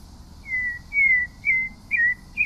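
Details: Whistled phrases from a pale-breasted thrush: drawn-out, gently falling notes follow one another with short gaps, the last ones brighter and more clipped, against quiet low rumble.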